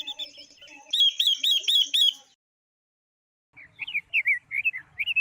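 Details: Female Chinese hwamei singing to stimulate males, with a female silver-eared mesia nearby: a quick run of bright repeated whistles, a silent pause, then rougher, rising chirped notes.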